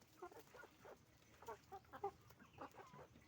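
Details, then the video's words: Roosters and hens on a chicken farm making noise: a busy run of short, throaty clucks, several per second in uneven bursts, from more than one bird over a low background hum. "the sound of a chicken farm, roosters and hens making noise"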